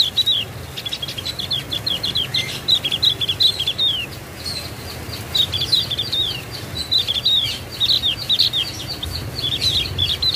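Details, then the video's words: Javan grey-throated white-eye singing: long runs of quick, high, thin downslurred chirps, tumbling almost without pause over a steady low hum. "BURUNG OPIOR JAWA SUARA MANTUL"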